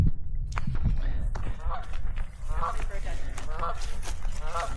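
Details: A goose on Russell Island, Gulf Islands, British Columbia, one of two geese, sounding agitated, gives a run of nasal, harsh honks, about one a second, over a heavy low rumble of wind.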